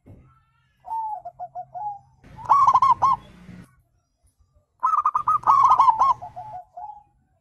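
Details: Zebra dove calling, a wild bird's voice used as a lure for answering birds: a soft falling phrase, then two louder rapid rattles of clipped coos that slide down into lower notes, over a low background hum.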